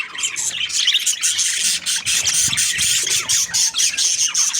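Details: Budgerigars twitter and squawk continuously in a bright, high, rapid chatter, many overlapping voices with short whistled notes, plus a brief low thump midway.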